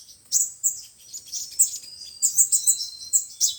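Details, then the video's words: Sunbirds, named as five-colour and seven-colour kinds, in lure playback for bird trapping: scattered high squeaky chips, then a quick cluster of sharp twittering notes and a thin trill. "Tiếng chim hút mật 5 màu và 7 màu dùng để bẩy loa"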